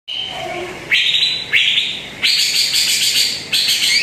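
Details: Greater green leafbird (cucak ijo), played as a lure recording to coax a quiet bird into singing: a steady high whistle, then loud rising sweeps opening into dense, buzzy, high chattering phrases.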